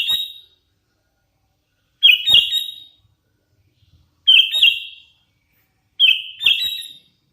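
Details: Sooty-headed bulbul, a hand-fed young bird, repeating a loud two-part whistled phrase about every two seconds, each a sharp chirp followed by a falling slurred note, in quiet surroundings.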